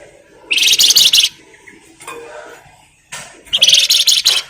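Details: Flamboyan bird in energetic song, used to provoke others into singing: a shrill, fast-pulsed buzzy phrase, a quiet gap with faint lower notes, then a second matching rapid burst.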